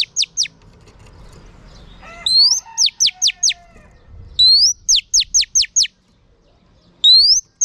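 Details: Female oriental magpie-robin song to stimulate male birds: scattered falling notes, then repeated phrases of an upswept whistle followed by a rapid series of steep downward notes, with a brief rattle before the second phrase.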